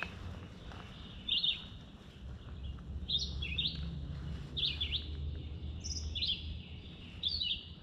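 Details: Red-eyed Vireo in summer in Summerville, South Carolina, singing short, clipped, high whistled phrases with brief pauses between them, about six phrases in eight seconds, over a steady low rumble of wind.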